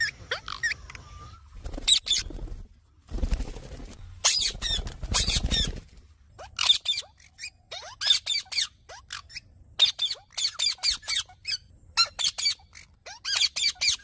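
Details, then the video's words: Green parrot chattering with quick harsh squawks and short downward whistles in irregular bursts, interrupted early on by a few seconds of low broadband rustling noise. "Mithu Ki Awaj"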